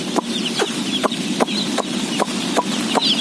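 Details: Day-old chickens, some 17,000 being fed, give faint high peeps behind loud regular clicks that come about every half second, over a low background hum.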